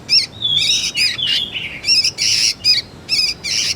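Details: Sooty-headed bulbul juvenile mixing a few smooth, slurred whistles with harsh, quivering chirps, about eight notes in under four seconds; made to lure birds and tutor magpie-robins.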